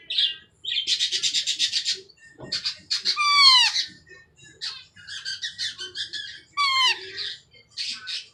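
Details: A pet Indian ringneck baby, around four months old, cries for attention. Rapid buzzy chattering bursts alternate with a few sharp, downward-sweeping squawks and softer clicks in a quiet room.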